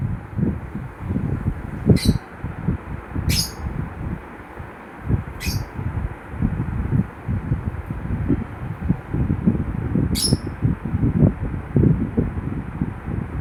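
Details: Lovebird giving brief, bright, high-pitched chirps, four in all at irregular gaps of one to five seconds, set against constant low rumbling noise.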